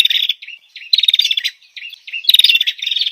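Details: Female bar-winged prinia giving short, scratchy bursts of fast twittering notes, three clusters in quick succession with slightly rising and falling tones.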